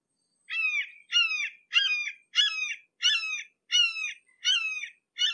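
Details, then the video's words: Red-shouldered hawk heard close by, calling in a steady series of downslurred, ringing screams, about eight notes in five seconds, each note sliding downward, with nothing else audible. "Red Shouldered Hawk"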